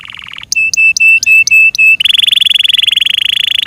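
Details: Kept Yorkshire canary singing: a short buzzy note, then six clear, evenly spaced whistled notes on one pitch, then a long, fast, even trill that runs to the end.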